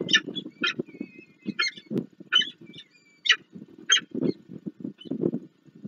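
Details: Nest of peregrine falcons on the Palace of Culture and Science in Warsaw, Poland, 26 April 2024, with food delivered and chicks fed; irregular harsh calls mixed with thin high whistles and muffled knocking and shuffling sounds.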